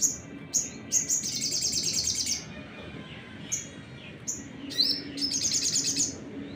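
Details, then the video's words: Crimson Sunbird sound to provoke other birds: sharp high chips interspersed with two rapid, buzzy high trills lasting about a second each, steady low hum beneath. "PANCINGAN SOGON NEMBAK !! buat burung lain emosi"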